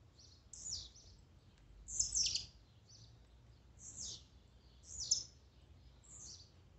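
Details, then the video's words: Blue-black grassquit songs gathered to stir up and excite a kept bird: short buzzy high notes that sweep downward, each burst about a second apart, with faint low background rumble. "Melhor esquente de tiziu,cantos e macheados para enlouquecer sua ave."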